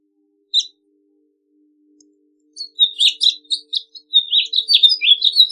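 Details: House Finch song: one short high note, a pause, then a fast run of jumbled warbling and twittering notes that grows denser toward the end, with no other sounds.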